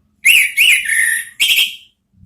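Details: Orange-headed thrush singing in the "ngeriwik" style, offered as a lure to draw out the "ngeplong" sound. Three loud whistled phrases: two quick rising-falling slurs, then a longer sweeping whistle and a brighter rising note. Faint low hum underneath.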